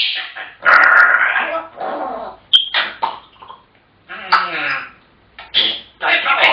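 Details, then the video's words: Chatty African grey parrots producing a run of speech-like babble, rasping syllables and one sharp high whistle, in phrases with short pauses between them. "Chatterboxes!! African Grey Parrots"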